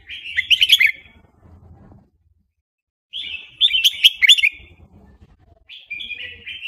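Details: Fast wild-style song of a Burmese red-whiskered bulbul: two loud, rich, bubbling phrases about three seconds apart, ending in a softer descending whistled run.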